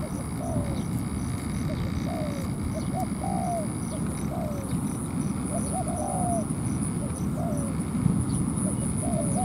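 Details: Spotted dove ground decoy in a trap, drawing a cautious wild dove into a territorial fight; repeated short coo phrases with downward slurs, evenly spaced, over persistent low rumble and a faint high whine.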